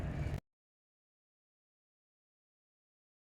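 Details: A brief burst of low indoor noise lasting under half a second, then complete silence.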